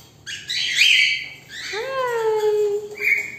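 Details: Pet cockatiel during a 'woodpecker game' with its owner: a harsh screech followed by a long whistle that glides down and then holds level, ending with a short high chirp.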